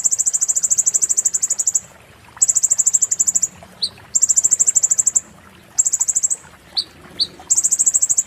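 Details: Konin white-eye giving its 'muntah beling' song, a tutor recording for magpie-robins: shrill, rapidly pulsed trills about one to two seconds long, separated by brief pauses and a few short downslurred chips.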